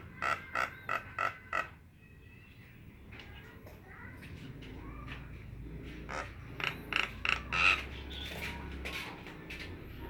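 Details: Nias hill myna starting with six loud, sharply spaced notes, then softer mixed calls and whistles over steady background noise, ending in a short louder run.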